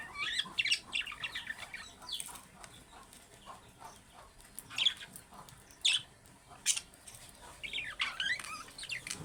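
Budgerigars chatter in quick, scratchy chirps and warbled squeaks, with a few sharper calls standing out.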